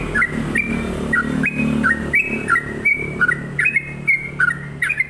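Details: Sooty-headed bulbul in energetic song: chirpy whistled notes flicking up and down, steady stream, over a humming low background drone.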